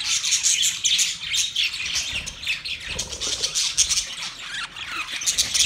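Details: Budgerigars singing during mating, a dense, busy chatter of high chirps, squeaks and warbles overlapping continuously with no pauses, several birds calling at once.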